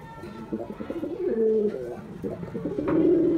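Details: Performing male white domestic pigeon coos loudly: low, rolling, throaty phrases that swell and fall, ending in a strong sustained coo; faint higher chirps in the background.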